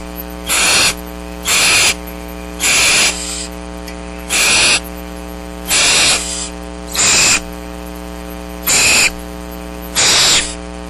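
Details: Seven young barn owls at Starr Ranch, some still covered in down, wait for parents to bring food during rain on March 6, 2010. Roughly nine noisy, hoarse hissing bursts come at uneven intervals, with a continuous background hum.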